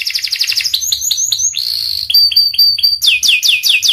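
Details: Panda canary singing hard, with varied phrases: fast repeated chirps, a clear sustained whistle, a series of ringing high notes, and a closing run of loud, quick downslurred notes.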